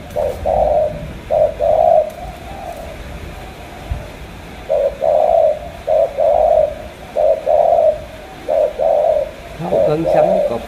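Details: Spotted dove from Cà Mau cooing in phrases of a short note followed by a longer throaty coo, repeated roughly every second with a pause midway; faint clicks in the background.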